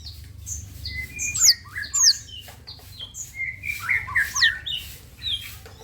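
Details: Long-tailed shrike song used as a lure to make other shrikes answer: a busy mix of high sweeping whistles, sharp slurred notes and chirps, over a steady low rumble of background noise.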